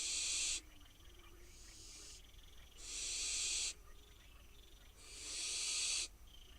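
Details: Begging wild barn owl fledglings at a nest box in Israel, awaiting a meal: three loud, steady hissing screeches, each under a second, alternating with fainter, softer hisses from other young.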